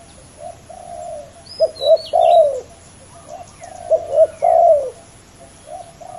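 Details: Competing male spotted doves in a ground decoy bout: overlapping low cooing, with steady soft coos from one bird and louder three-note phrases ending in a falling drawn coo from another, plus a few high bird chirps.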